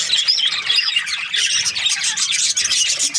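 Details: Australian budgerigars chirping during breeding season: many birds twittering at once, short whistled notes and squeaky chirps crowding together in a continuous, bright chatter.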